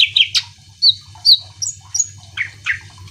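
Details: Short burst of greater green leafbird song, meant to provoke other birds into singing: a few high whistled notes and downward chirps spaced irregularly, over a pulsing low hum.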